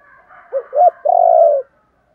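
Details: Spotted dove call meant to stimulate wild-caught birds: one phrase of two short rising coos followed by a long, steady, loud coo lasting over half a second.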